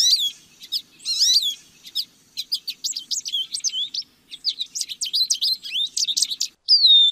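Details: Lesser goldfinch singing a long, varied medley: quick high chips, twittering trills and sweet slurred whistles run together, ending with a drawn-out descending whistled note.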